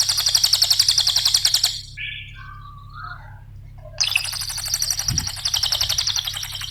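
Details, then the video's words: Cililin song played as a lure for cage birds. A fast, tightly packed high-pitched trill stops, brief lower chirps follow, and then the rapid rattling trill resumes against a faint low hum. "Mp3 suara Cililin RAPAT GACORNYA,pancingan cililin"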